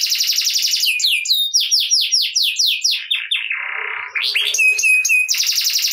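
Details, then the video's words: Domestic canary in full lively song, used to prompt reluctant canaries to start singing: fast buzzy trills and rapid repeated descending sweeps, a low rattling churr, then ringing metallic notes and a dense high trill. "Kenari Gacor Ngerek Cocok Buat Kenari Yang Malas Bunyi Jadi Ikut Bunyi Seketika || Voice of Canary"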